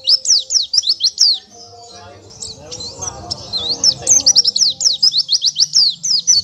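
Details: Song of an Oriental white-eye recorded as a master for training songbirds: quick high sweeping chirps in rapid runs, a softer noisy pause, then renewed fast twittering notes.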